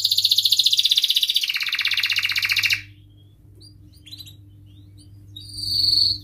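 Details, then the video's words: Canary rolling song, ngerol style, used to prime rival and young canaries: a loud fast pulsing trill for almost three seconds, then only faint scattered notes before a brief high whistled trill. Steady low hum beneath. "Kenari Gacor Cuit cuit Ngerol MENEKAN LAWAN AMPUH utk Pancingan Kenari PAUD belajar Bunyi & MACETAN"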